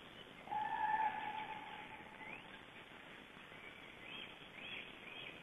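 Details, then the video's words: Cranes calling as they fly above a Black Stork nest, Estonia, April: a clear, sustained trumpet-like note lasting under two seconds, followed by fainter, higher bugling further off against constant hiss. "Cranes flying over the Black Stork nest"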